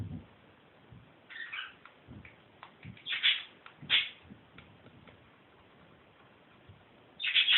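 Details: A pet budgerigar playing with a camera and looking at its own reflection in the screen gives a few short, scratchy chirps, separated by quiet gaps.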